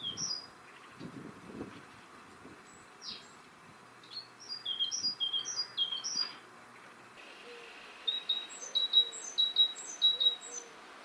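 Great Tit singing bright, high two-note phrases repeated at a steady pace, preceded by scattered thin chirps and a faint lower note from another bird.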